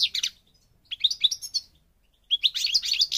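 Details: A European goldfinch in Morocco, North Africa, gives short energetic bursts of jangling, twittering song with buzzy, metallic notes between pauses of about a second.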